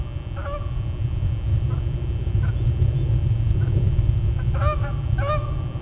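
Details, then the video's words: Two geese honking as they fly straight toward the recorder at 06:20 on 11 May 2012; a few short nasal honks, clustered near the end, over a strong low rumble of wind or traffic. "Two Geese honk & fly straight at the camera!"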